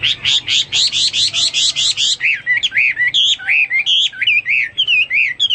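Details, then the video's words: ['Hwamei singing with a fast series of about a dozen buzzy, repeated notes, then a string of looping, warbled whistles that rise and fall, evenly paced and loud throughout.'] "Burung Hoa Mi gacor"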